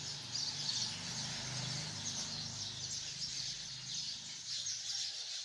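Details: A crowd of hundreds of sparrows chirping in a tree makes a steady, high, overlapping twitter, evenly dense throughout, with a soft low hum in the background.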